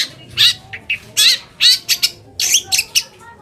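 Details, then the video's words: Long-tailed shrike song meant to rouse other shrikes into replying: a handful of loud, rasping buzzy notes with short whistled inflections, spaced irregularly about one per second. "PANCINGAN AMPUH BURUNG CENDET AGAR CEPAT GACOR - cendet manapun langsung nyaut dan emosi"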